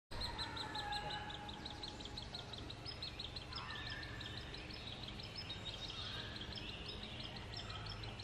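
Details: Hairy Woodpecker nestlings about to fledge in the Snoqualmie Valley give a constant, high, rapid chatter of chirps while being fed. A low background rumble runs underneath.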